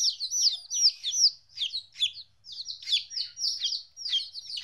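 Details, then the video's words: Fourteen-day-old baby chickens, newly separated from their mother, give shrill arched peeps in quick uneven bursts. Several birds call over one another, with a brief lull midway through. "Chicks Chirping Sounds - Baby Chicken Sounds"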